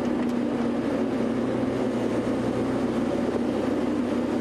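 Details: Continuous low engine drone, like an idling vehicle, fills the whole recording without any animal calls.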